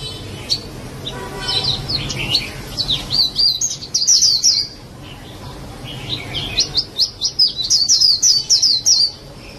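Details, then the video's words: White-eye song in two bursts: high, rapid, twittering runs of thin slurred whistles, separated by a brief pause, over a faint low hum. "SUARA BURUNG PLECI"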